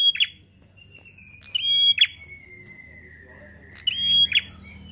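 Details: Bar-winged prinia 'gacor ngalun' song, used to get prenjak singing: three phrases of a level high whistle ending in a buzzy chip, with a faint, slowly falling thin tone between them.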